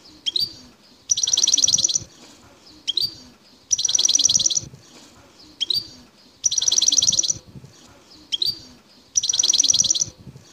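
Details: Wild European goldfinch from Bouteldja in Algeria's El Tarf area singing. Quick high chirps lead into fast buzzy trills about a second long. The pattern repeats roughly every two and a half seconds over a low murmur.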